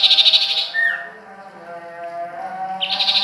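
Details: Fast, buzzy trilled burst from a sirtu or common iora (cipoh) at Ajibarang, ending in a short downward slur. A low steady hum fills the gap before the rapid trill starts again.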